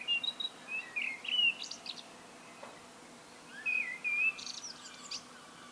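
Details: Common blackbird singing alone, two separate phrases a few seconds apart, each a mellow whistled warble ending in a brief, high, scratchy flourish, with quiet pauses between.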